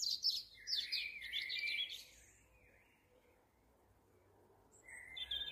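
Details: Juvenile Eurasian blue tit calling in quick excited bursts, a jumble of high chirps and buzzy notes for about two seconds, then silence and a couple of softer whistled notes at the end.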